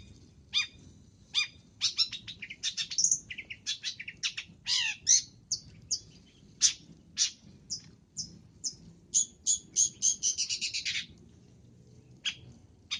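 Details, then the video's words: Long-tailed shrike singing a varied full-isian gacor cendet masteran: a jumble of harsh rasps, sharp clicks, and quick twittering runs, building to a dense chattering burst before tapering into a few scattered notes. "MASTERAN BURUNG CENDET FULL ISIAN GACOR"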